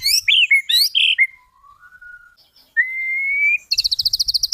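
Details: Master recording of white-rumped shama song meant for birds to imitate, opening with sharp swooping chirps, then a long low whistle, a clear rising drawn-out whistle, and a fast rattling trill.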